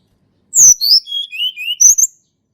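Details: Sunda robin natural song, used as a lure for silent birds: a sharp high opening whistle, descending clear notes in a wavering line, and a closing pair of bright high squeaks.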